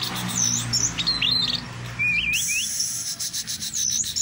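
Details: Teler doyong song from a caged orange-headed thrush: looping slurred whistles that swoop up and down, followed by a long high hissing trill and more curling whistled phrases.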